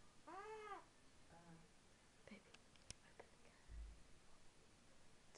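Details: Pet eclectus parrot making baby noises indoors: one loud rising-falling harmonic squawk early on, a softer short squeak after, then clicks and faint rustling, with quiet room hum.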